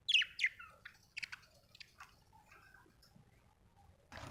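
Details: Budgerigar chirping: two sharp falling chirps open, followed by quieter scattered twittering notes over a low steady background hum, with a rushing noise at the very end.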